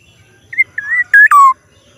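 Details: Unusual call of a black-naped oriole, one phrase: a clipped whistle, a wavering slurred whistle, then a loud nasal, buzzy note and a lower, drawn-out harsh note, over a quiet background.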